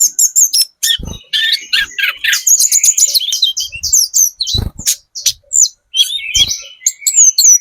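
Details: Sunda robin, spotted 'trotol' form, singing a very active lure song meant to draw replies from other birds: dense, rapid high twittering and whistled notes with sharp chips, nearly continuous, with a few low thumps.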